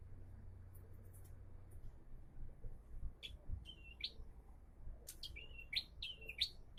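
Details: Increasingly active bar-winged prinia song: clipped whistled notes with abrupt upward sweeps, loosely spaced at first, then a quicker cluster of five or six near the end, over a low droning background.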